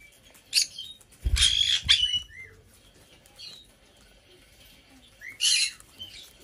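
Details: Indoor pet black-headed parrot, female, aged five, on her birthday: two bouts of loud grating squawks a few seconds apart, with brief upward-curving whistled notes in between and faint rustling.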